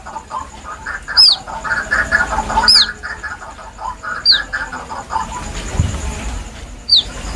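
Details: White-breasted waterhen chick, played as a hunting lure: a sharp, high, downward-sliding squeak repeated four times at uneven gaps of one to two and a half seconds, over a steady pulsing chorus of lower croaks like frogs.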